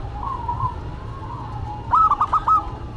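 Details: Local and cemani zebra doves singing in duet: low wavering coos, then a loud, fast burst of four or five crisp stuttered notes near the end.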